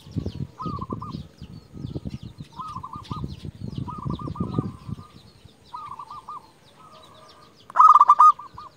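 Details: Local zebra dove, a champion lure bird, calling to rivals: a series of soft rolling coos, each ending in quick repeated notes, followed by one loud close coo. Other doves coo faintly, over low rumbling and handling noise.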